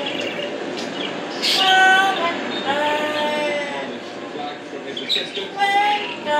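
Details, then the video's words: Parrot named Carlos sings in a human-like voice with sustained, wavering rising and falling tones, imitating words and tune in English, over faint background hiss. "ببغاء يغني باللغة الإنجليزية Parrot singing"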